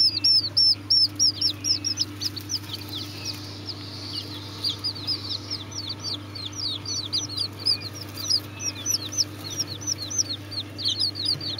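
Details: Serama chicken chicks cheeping: strings of high, sharp descending peeps, loud and rapid at first, then a brief lull and renewed chirping, with a persistent low hum behind.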